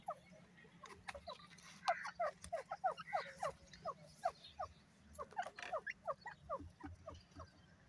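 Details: An Irani teetar, a kind of francolin, gives a fast, uneven stream of short falling notes, about three per second, in two long bouts separated by a brief lull, with clicks and a low hum in the background.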